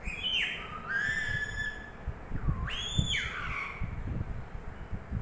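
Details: Sleepy pet parrot, said to talk in Tamil, gives two drawn-out whistled sounds: each slides steeply down, then levels off into a steady tone. Low rustling and thumps run beneath.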